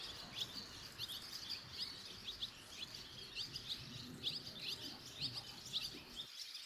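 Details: As five barn swallow nestlings fledge all together, with young from neighbouring nests nearby, sharp, quick chirps repeat in small bursts about every half second. Soft background rumble underneath.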